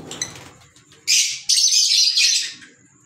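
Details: Pet green Fischer's lovebirds: after some quiet low murmur, a loud continuous harsh shrieking squawk lasting about one and a half seconds, briefly broken, then fading.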